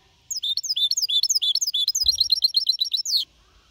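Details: Four-and-a-half-month-old goldfinch hybrid singing clean, Malaga copy style, 2021: a fast three-second burst of high, downward-swept twittering notes that speed up toward the end, then stop abruptly.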